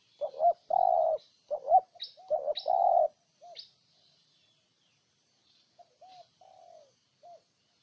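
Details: Spotted dove from Ninh Thuận, Vietnam, cooing: a burst of loud, husky low coos in quick succession over the first three seconds, each a short rising note followed by a longer held one, then softer, quieter coos trailing off.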